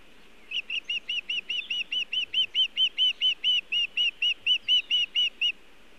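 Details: Wild osprey at its Montana nest on an early June 2017 evening, visiting with nest material and no fish; loud, clipped high chirps repeated roughly four per second in a long even string, rising slightly in strength.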